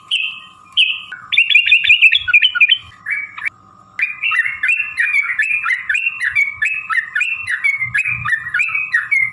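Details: Fighting song of a yellow-vented bulbul, a long phrase meant to draw other birds into singing: a few flat whistles, then a dense bubbling chatter, a short pause, and a long run of rapid rising-falling whistled notes.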